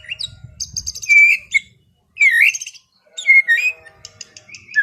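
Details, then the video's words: White-rumped shama singing in a relaxed afternoon session, meant to calm an overexcited bird: varied whistled phrases and slurred notes around mid-high pitch, separated by short pauses, with faint low rumbling early on. "SUARA MURAI BATU NGEPLONG SANTAI SORE HARI UNTUK RELAKSASI BURUNG OVER BIRAHI"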